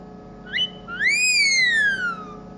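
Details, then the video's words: Pet rose-ringed parakeet kept indoors, whistling a song tune it mimics: a short rising whistle, a brief pause, then a long pure whistle that swoops up and slowly glides downward, with steady background hum. "My singing green parrot | Singing Song | Parrot whistling"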